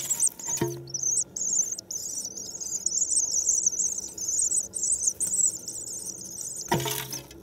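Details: Swifts newly arrived in spring, 9 May, keep up a steady, piercing high trill with a rough, buzzing texture. Two dull thumps mark the start and end.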